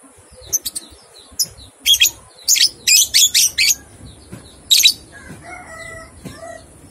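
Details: Lovebird ngekek song, a training recording meant to get two-month-old young lovebirds to start singing. Short bursts of harsh, high, rapid chattering come in clusters. A steady thin high whine runs throughout, and softer lower whistled notes follow near the end.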